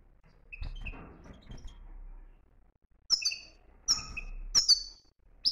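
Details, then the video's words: Moroccan European goldfinch in the 'btbta' song style, opening with a soft rustling scratchy passage, then three loud clustered bursts of high sliding chirps. "بتبتة قوية"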